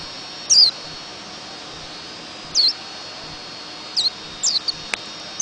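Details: White-eye giving a few high, thin, down-slurred notes spaced about two seconds apart, with a short soft chip near the end, over a faint steady hiss.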